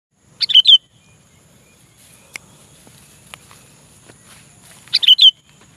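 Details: Sooty-headed bulbul calling a rival, recorded for use as a lure to draw bulbuls closer: two short, bright bubbling call bursts about four and a half seconds apart, with quiet rustling between.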